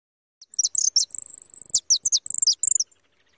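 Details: A young white European goldfinch, held in the hand outdoors in the countryside, sings a quick, high tinkling twitter of liquid notes broken by a thin, drawn-out buzzy trill, with no other sounds.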